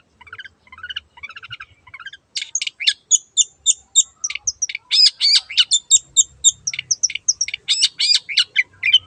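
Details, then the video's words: Long-tailed shrike in lively 'gacor' song to lure a mute bird to sing: soft stuttering notes open, then a rapid stream of sharp high chips and buzzy notes, several per second. "BURUNG CENDET GACOR YANG BISU JADI BUKA SUARA DAN IKUT BUNYI"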